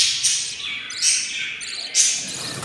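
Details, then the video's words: Loud, rasping, hissy calls from hungry fifteen-day-old albino lovebird chicks, four in the brood. They come in three strong surges, each building and fading within a second. "hatching 04 albino lovebirds eggs and they are very hungry"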